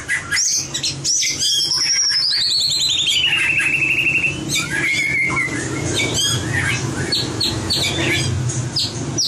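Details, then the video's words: White-rumped shama in competition singing, a voice-training recording: sharp high notes, then a long buzzy trill sliding down from high to middle pitch, a clear descending whistle, and rapid varied chirps over a low hum. "Luyện giọng chòe lửa - luyện chòe lửa hót đấu"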